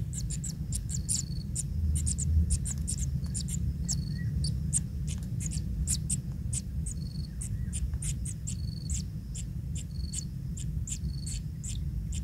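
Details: Naked young kingfisher chicks being fed fish by a parent, calling in an insistent run of high, sharp ticking squeaks, closely spaced throughout, with brief thin whistles and constant low background hum.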